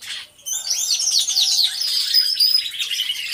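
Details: Canaries singing in an aviary on a hidden camera: after a brief lull, a burst of bright high warbles, buzzy trills and thin whistled notes from several birds at once.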